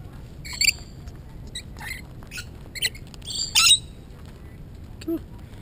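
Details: Very tame Rainbow Lorikeets on the New South Wales South Coast, Australia, jumping onto a man's arms and hands, give harsh, grating screeches in short irregular bursts as he coaxes them nearby.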